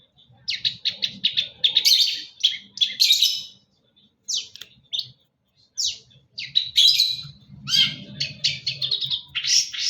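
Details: Energetic song of a long-tailed shrike: dense clusters of harsh, chattering chirps and squeaks in quick bursts, with a couple of pauses, over faint low background rumble.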